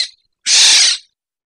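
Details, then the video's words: Black-naped oriole (Oriolus chinensis, kilyawan) gives one harsh, rasping, hiss-like call lasting about half a second, with a faint trace of another note just before it. "HUNI NG IBONG KILYAWAN"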